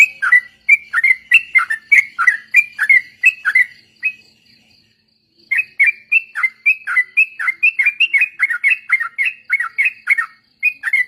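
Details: Yellow-vented bulbul song used as a training lure for other birds, in a busy group-chorus style: bursts of bright, chattering whistled phrases repeated rapidly, then a pause near four seconds before the chatter resumes.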